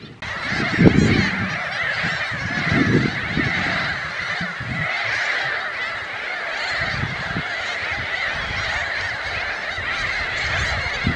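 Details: Glossy ibis giving low, hoarse grunting calls in short irregular bursts, over a steady dense chorus of other birds and background hiss.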